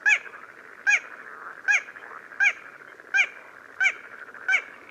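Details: Little crake recorded in Córdoba giving seven short, nasal, yapping 'kwek' notes, each about three-quarters of a second apart and quickening slightly, over a steady background hiss.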